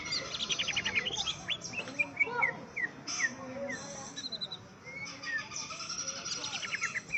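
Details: Greater green leafbird squaring up to a rival with a lively song of repeated chirps, quick downslurred whistles and short trills, delivered in uneven bursts with brief pauses.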